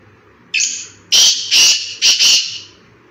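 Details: Black francolin in a forest giving a harsh, scratchy call: a drawn-out rasping note, then two loud grating notes and a quick closing pair, about three seconds in all.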